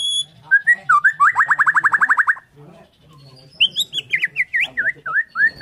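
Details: Borneo white-rumped shama in morning song, delivering a fast rattling series of a dozen or so rapid notes, then a string of bright rising and falling whistled phrases.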